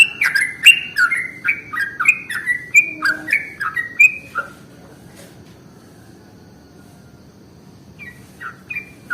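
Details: Sooty-headed bulbul lure song: a fast series of bright, downslurred chirps for about four seconds, then a long pause, and a few quieter chirps returning near the end.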